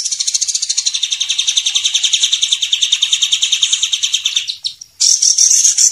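A white-rumped shama delivers a fast, high chattering trill of about eight notes a second for four seconds, then a dense, bright, buzzy burst.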